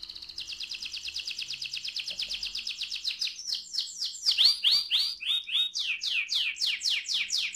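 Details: Canary rolling song used as a lure for other canaries, with a long rapid trill giving way to loud swooping and chirping phrases, over faint low background hum.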